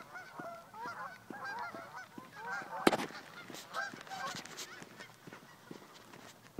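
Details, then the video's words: Geese on a lake in Colorado, a flock giving a dense chorus of overlapping nasal honks, many birds calling at once with short rising and falling notes, one sharp loud knock near the middle. "Geese on lake in Colorado"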